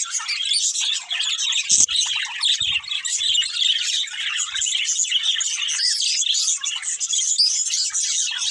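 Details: A pair of budgerigars chirping nonstop: dense, overlapping high twitters and warbled chirps, with a few sharper squawks and a short scratchy burst near two seconds. The chatter stays busy and even throughout.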